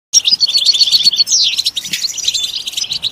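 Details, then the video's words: {'caption': 'European goldfinch song used to stimulate other goldfinches to sing: fast, liquid twittering of high tinkling notes with a sweeping downward slur midway, continuing as a dense chatter.'} "Comprehensive guide to stimulating and singing the goldfinch"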